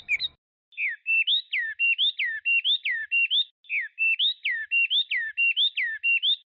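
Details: Chinese hwamei sings two long runs of alternating falling and rising whistled notes, bright and evenly paced, separated by a short pause.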